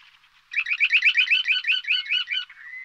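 Purple sandpiper: a fast run of high, chirping notes, about six a second, lasting two seconds, then a thin steady whine.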